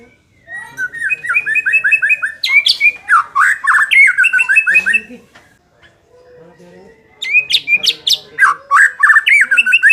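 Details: Song of a White-rumped shama, played to make a less fighting bird more competitive: long bursts of rapid repeated whistled notes and sharp upslurs, a pause of about two seconds, then another fast repeated run.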